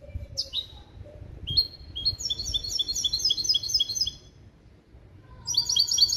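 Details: Male goldfinch × female canary hybrid performing a school-taught limpio song made from goldfinch calls, 2021. Opens with a few sharp descending notes, then a fast run of high metallic trilled phrases, a brief pause, and another burst of bright chirps.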